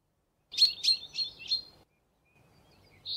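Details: Common chaffinch song fragment: four bright, slightly falling notes spaced about a third of a second apart, followed by a pause and then the start of another phrase, with faint low background rumble.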